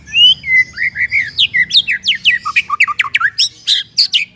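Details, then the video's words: White-rumped shama singing on a tutor recording meant for untrained and stalled shamas: clear whistled notes, then a rapid run of sharp downward-sweeping phrases spanning high to mid pitch, steadily repeated, with faint low hum beneath. "MASTERAN MURAI BAHAN DAN MURAI MANDEK ( shama bird singing )"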